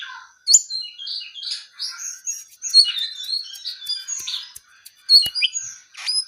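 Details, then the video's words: Brown-eared bulbul in full persistent song, a fast varied string of whistled chirps, slurred notes and sharp ticks, occasionally dropping to quieter fragments before bursting again into bright high phrases. "KICAU JONGKANGAN COKLAT GACOR TELER"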